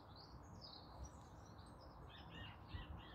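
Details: A European robin sings in the morning in a small urban garden bordered by ash trees during the dawn-chorus period: thin, high warbling phrases that wander up and down, faint over a steady low background rumble.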